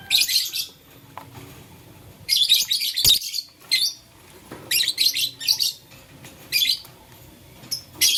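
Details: Blue, lutino and green lovebirds chirp while playing with a flower: bursts of high, harsh, squeaky chirps in rapid clusters, separated by short quiet gaps, with a faint background hum.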